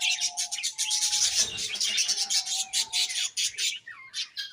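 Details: Several budgerigars twitter and chirp in quick pulsing bursts, ending with a short downward-sliding whistle.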